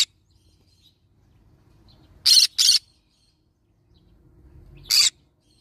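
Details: Yellow-sided green-cheeked conure parrot giving harsh broadband screeches: a quick double squawk, then a single one about two and a half seconds later, with near silence between.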